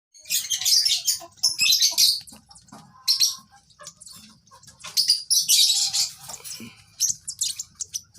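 Young lovebird giving harsh, high chirps in rapid bursts of about a second each, with short pauses between bursts; soft low rustling in the background.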